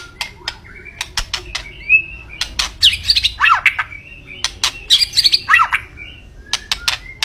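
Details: White-rumped shama singing energetically: varied whistled notes and sweeping slurs at mid to high pitch, interspersed with sharp clicking sounds, irregular phrasing.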